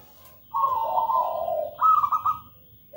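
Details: Zebra dove, a local perkutut, singing actively: a soft, trilled coo phrase that slides lower, then a higher rolling coo, with quiet low background hum.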